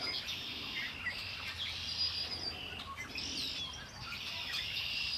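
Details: Birdsong by Lake Erie, several birds overlapping in busy high chirping and short trills, clusters of notes coming and going over a low, steady environmental rumble.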